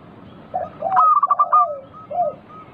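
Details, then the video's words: Local zebra dove in lively singing form, used as a lure to prompt other doves to sing back. It gives a soft low coo, a rapid trilled rattle of clipped cooing notes, then a fading coo and a short final coo. "Pancingan burung perkutut lokal gacor - 100% bikin cepat bunyi langsung nyaut manggung"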